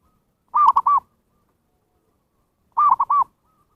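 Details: Zebra dove call used as a lure for wild birds: two bubbling triple-note coos, each roughly half a second long, following one another after about two seconds in a quiet background.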